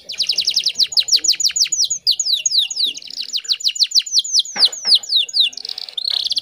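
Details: Female canary in breeding condition, from Indonesia, singing to lure a male: fast series of bright downslurred whistles, a buzzy trill near the end, and faint low background noise.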